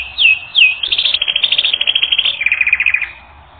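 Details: A canary in song training sings two quick downslurred whistles, then fast rolling trills in bright, high tones, ending on a lower, buzzier roll.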